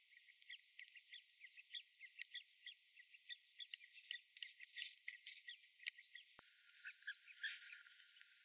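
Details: Carmine bee-eaters at Nxai Pan, Makgadikgadi Pans National Park, Botswana, a youngster begging for more food while an adult keeps bringing it: a busy stream of short, high chirps, overlapping at a quick, uneven pace with brighter bursts.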